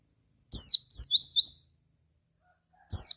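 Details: Javan white-eye song used as a lure to make other white-eyes answer and sing: a few sharp high chirps sweeping down then quick rising notes, a pause, then another burst of high sweeping chirps.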